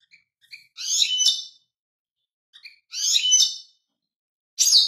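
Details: Lively twittering of a European goldfinch: liquid, tinkling phrases with scratchy buzzy parts, each led by faint single chips, repeated with short pauses.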